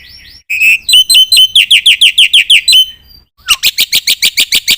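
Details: Black-winged myna in full song: a rising whistle, then a rapid series of loud, clear whistled notes with harsh edges repeated about three times a second, a brief pause, and a run of sharp, scratchy, rasping notes.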